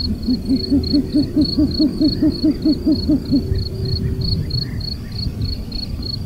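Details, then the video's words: A Short-eared owl perched on a pile of earth in the Czech Republic gives a quick run of about thirteen low, soft hoots, four each second, over the steady high chirping of a cricket. "Bird sounds – Short-eared owl (Asio flammeus)"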